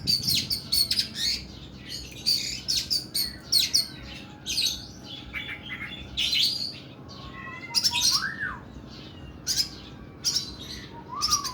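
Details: Kacer (oriental magpie-robin) pouring out long, harsh 'nembak' song: repeated bursts of rough, buzzy high notes in quick groups, broken by pauses, with a couple of clear rising-and-falling whistled slurs later on.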